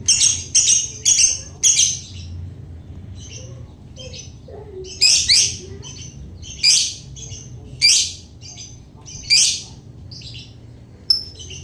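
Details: Lovebird giving its ngekek song: bursts of harsh, high chattering notes, some in quick runs and others spaced a second or two apart, over a steady low background hum.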